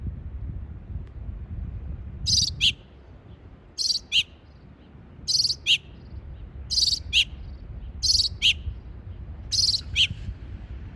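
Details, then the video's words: Single bird repeating a paired call roughly every one and a half seconds: a high scratchy chirp followed by a slightly lower, sharper note, six pairs in all, with quiet low background hum between them. "Bird makes multiple different chirps"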